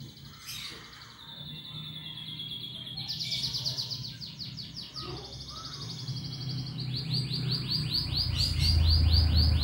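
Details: Canary song meant to spur other birds into singing: fast rolled trills of repeated short notes, growing more regular toward the end, over a loud low rumbling background.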